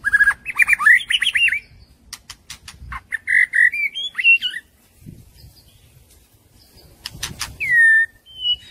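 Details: Forest-style song of a young white-rumped shama: quick warbled whistles rising and falling, sharp ticking clicks between bursts, then a clear downslurred whistle and a high closing note.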